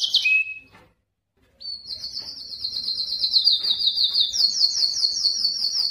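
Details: Male canary singing to attract females for mating; brief high notes, a short silence, then a long fast high trill that steps upward in pitch.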